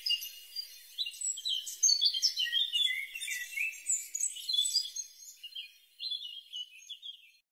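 A warbling white-eye sings a rapid, high, tumbling warble of thin sweet notes, running on almost without pause.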